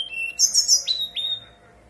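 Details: Lure song of a brown-chested jungle flycatcher in 'nyuling' style, used to get young birds to answer: a short high whistle, then quick shrill buzzy notes dropping into two clear downward whistles, over a faint steady hum.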